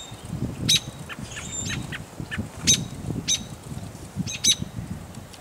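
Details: American robin nestlings in the nest near Fisher, Minnesota, 26 May 2010, give short, thin, high-pitched begging squeaks in scattered bursts, a few per second at times, over a low wind-like rumble.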